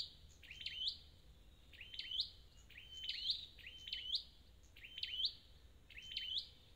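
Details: Wild-caught red-headed flowerpecker singing a regular string of high, crisp, swooping notes with drawn-out whistled endings. About six phrases repeat almost once a second.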